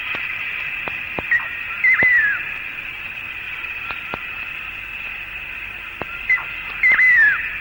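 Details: Malaysian eared nightjar in Malayan rainforest, recorded late 1950s–early 1960s, calling at daybreak or dusk while hunting insects high in the air: two clear, melodious "tapy bow" calls about five seconds apart, over a high insect drone and faint clicks.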